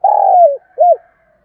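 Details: Spotted dove calling to stimulate wild doves to respond: a long, smooth, low coo that slides gently downward, followed by one short, arched hooting note, clean and close with no other sounds.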